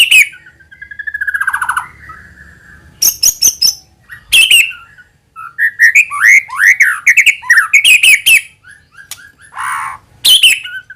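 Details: Shama lure song made to set off other white-rumped shamas: a descending rapid trill, bursts of clicks, then a lively tumbling sequence of looping whistled phrases and a buzzy note near the end.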